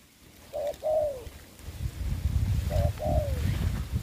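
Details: A spotted dove kept as a ground decoy in trapping, covid season, gives two separate coo phrases, each a short note and then a longer sliding one. Strong low rumbling noise builds between and after them.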